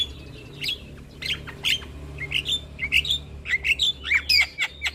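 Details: Javan myna song used to encourage stressed, silent birds to sing. Squeaky whistled notes with sharp clicks grow quicker and louder, reaching a run of high chirps at about four per second.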